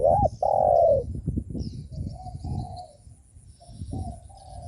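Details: Spotted dove cooing used to provoke rival doves: a looping low coo and a long hollow coo open the recording, followed by quieter coos amid faint high twittering of other birds.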